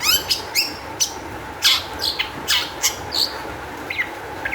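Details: Sharp, harsh chirps and falling notes spaced roughly every half second, from a long-tailed shrike whose song serves as a lure to make other shrikes sing. A steady faint hum runs underneath.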